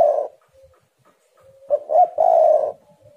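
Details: Tekukur or spotted dove cooing: a soft low note, faint hum, then two quick rising coos and a longer drawn-out rolling coo, all deep and hollow.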